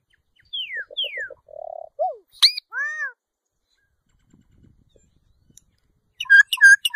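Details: Solitary cacique producing two descending whistled slurs, a quick buzzy trill, a falling note, then a sharp chip and a ringing arched note, ending with rapid repeated bouncy notes.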